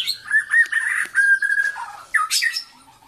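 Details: A white-rumped shama (murai batu) in Kuching, mimicking a rooster's crow: loud, slightly harsh drawn-out notes, a long level phrase, then quick rising squawky flourishes, all within about three seconds.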